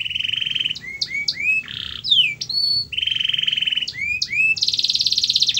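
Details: Canary song played to coax a reluctant, quiet canary into singing: long buzzy trills near mid-high pitch alternate with quick rising whistled slurs and a rapid rattling roll at the end.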